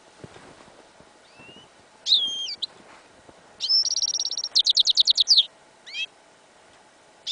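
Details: Winter field recording of a yellow isabel hybrid of goldfinch and canary, part of its song: a twisting high note, a steady whistled tone, then a rapid pulsing trill and a final rising chirp, with faint background rumble.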